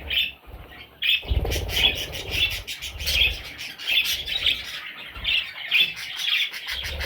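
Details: Parrot chicks giving high, thin chirps repeated in a steady series, roughly one and a half per second, over soft rustling and scuffing sounds.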